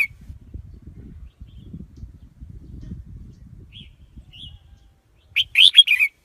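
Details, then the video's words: Red-whiskered bulbul used as a trapping lure: two brief soft whistled notes, then a loud, fast warbling burst near the end; low rumbling noise fills the first part. "Tiếng chim chào mào mồi dùng đi bấy cực sát bổi"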